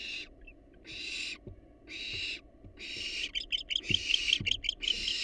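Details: Several wild barn owls in a monitored nest box make drawn-out hoarse hisses about once a second, then shift into a faster, stuttering run of short rasps and ticking notes.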